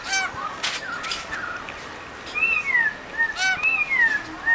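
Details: Wild birds of the Blue Mountains, Australia, in eucalyptus country: harsh rasping bursts followed by several clear arching whistles that rise and fall, repeated about every second, with harsh notes between.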